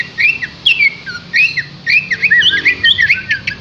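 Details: Green leafbird pouring out a varied, fast warble of twisting whistled phrases and quick chirps, in lively, continuous song.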